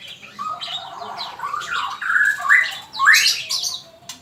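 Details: Male magpie-robin song for training captive birds: mellow low whistles building into louder gliding phrases and two bright rising flourishes near the end.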